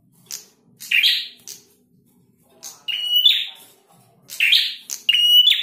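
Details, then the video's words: Male prinia singing: sharp high chirps alternating with buzzy notes and a steady ringing whistle near the top of the range, in bursts about every one and a half seconds, with quiet gaps between. "Prenjak Jantan Gacor"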